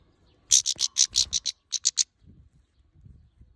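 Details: Harsh scolding from an angry female European goldfinch aimed at the camera: about ten rapid rasping notes in two close runs, followed by faint low rumbling.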